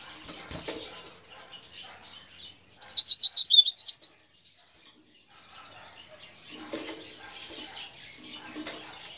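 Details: Brown-plumaged Double-collared seedeater giving a grego-style song phrase: a quick, bright, high-pitched warbling run of about one and a half seconds, with quieter chattering and low rustling before and after.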